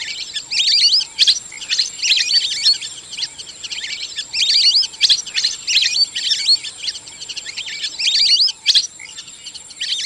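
Lesser Whistling Ducks give high, thin whistled chirps in quick bursts, about one each second, over a steady high insect hum.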